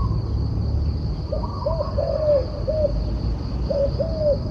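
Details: Turtle dove cooing: a phrase of soft, low, hollow coos, three short notes then a longer drawn-out one, and a second brief phrase after it. A steady high insect-like whine and a low rumbling background continue throughout.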